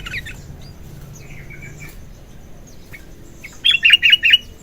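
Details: Morning sooty-headed bulbul song: soft, faint chirps and a short warble, then a loud closing burst of five rich, bubbling notes in fast, even rhythm.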